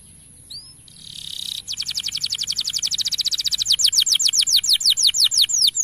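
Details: Male canary song meant to prompt young canaries to sing readily: a brief rising note and a buzzy burst, then a long fast trill of high descending notes that slows into separate swooping whistles.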